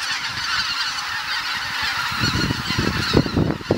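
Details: Dusk at Kabukuri-numa marsh as geese fly back after sundown: a massed chorus of overlapping honking calls, with low rumbling noise rising in the second half.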